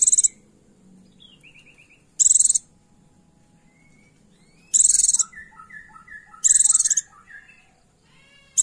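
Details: Caged-style lure recording of a female Oriental white-eye calling a male: four brief, very high, fast-pulsed rattling bursts at uneven intervals, between them softer descending whistled notes and chirp series from another bird.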